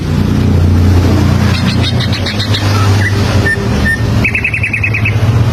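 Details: Greater green leafbird (cucak ijo), standard song used to prompt young birds to learn: scattered high chirps, then single pure whistled notes and a fast trilled burst near the end, over loud low droning hum.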